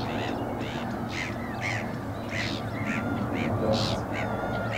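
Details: Eurasian coots, two adults feeding their chicks; rapid short arched calls, about three or four per second, uneven in loudness, over steady low background noise.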